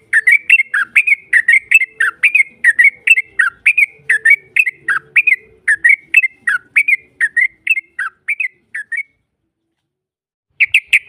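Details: Yellow-vented bulbul in a long, rapid 'ropel' song played as a lure to provoke a rival into answering: a fast run of bubbly, whistled notes for about nine seconds, a short silence, then a fresh burst.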